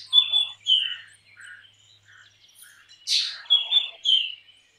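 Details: Black drongo song of clear whistled notes sliding downward, soft lower chuckles between them, then a loud harsh rasp followed by two ringing whistles.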